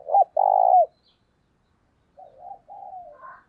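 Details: Spotted dove used as a lure bird, coo-calling to attract wild doves: a sharp short note and a loud sustained coo, a pause, then softer trailing coos ending in a slightly higher wavering note.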